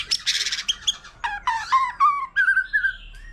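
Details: Forest-matured white-rumped shama singing varied phrases in company with a laughingthrush; a rapid rattling series gives way to lower fluty warbled notes repeated in quick succession.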